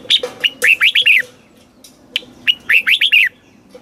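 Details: Thai caged red-whiskered bulbul song in the southern master style, meant for stimulating and teaching birds: two fast, bubbly phrases of chirpy slurred whistles, with a single sharp note between them.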